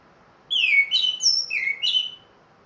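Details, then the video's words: Caged, ringed orange-headed thrush singing regularly again after moulting, in a clear loud 'plong' style: about five rich whistled notes slurring downward over a second and a half, with a quiet background. "MERANGSANG ANIS MERAH BUNYI PLONG"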